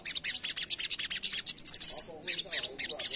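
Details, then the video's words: Asian pied starling rapping in full song as a lure, a quick steady series of scratchy high syllables followed by a string of about five clear whistled pips, then more chatter. "Burung Sogok Ontong Gacor Full Ngerap Cocok Untuk Pancingan"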